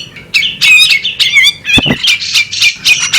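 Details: Female bearded magpie robin calling: a dense run of harsh, buzzy, harmonic-rich notes with a scratchy timbre, some rising and some falling, uttered in quick bursts with brief gaps, and a couple of sharp low thumps midway.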